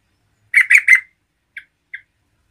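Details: Energetic gacor singing of a yellow-vented bulbul meant to provoke rival bulbuls: three loud, rasping, bubbly notes in quick succession, then two brief soft chips.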